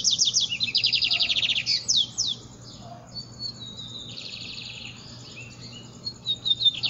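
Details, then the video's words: Lined seedeater singing hard at daybreak, opening with rapid high repeated chips and slurred whistles, then thinner buzzy trills and a long steady tone, with a low constant hum. "Amanhecendo o dia e o bigodeiro cantando louco"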